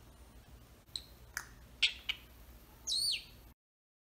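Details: Closed in a travel cage, a pet Senegal parrot makes a few dry clicks and clucks, then one bright whistle that rises and then falls before silence.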